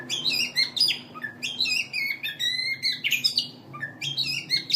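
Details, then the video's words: Contest master song of a winning poci Oriental magpie-robin, ngobra style: clear, separated whistled notes and short rising slurs, some with ringing metallic overtones, delivered in quick bursts about every half second against a quiet background. "Masteran Burung Kacer Untuk Lomba"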